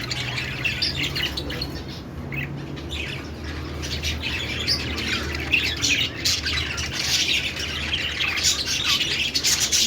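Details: Budgie warbling: dense, chattering high notes and squeaks that grow busier and louder toward the end, over a faint low rumble.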